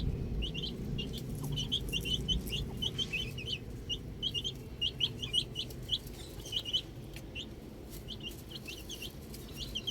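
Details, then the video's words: Baby chicks outdoors giving many high, thin peeping chirps, often in quick pairs and triplets, over a steady low rumbling background. "Cute Baby Chicks Chirping Sounds"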